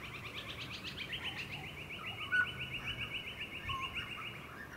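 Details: A juvenile Grey Butcherbird on the Sunshine Coast, Queensland, in August 2020 gives a fast, steady run of short, mid-high notes, about ten a second, over a soft background hiss with one brief louder click.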